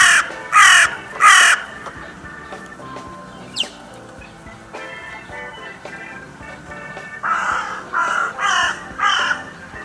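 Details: Three loud, raspy caws open, followed by a quiet stretch with a brief high squeak and faint clicks, then four softer, hoarse caws close together, from crows at the Steinrevier feeding site on 6 January 2022.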